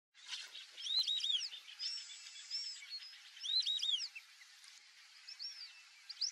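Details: Wild black-bellied whistling ducks by a lake: clear high whistled notes, rising then falling in short multi-note phrases, repeated a few seconds apart over soft outdoor background.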